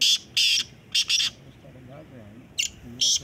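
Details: Black francolin during a calling competition: loud harsh grating phrase of rasping notes, with a man's voice talking softly in the gap before further calls.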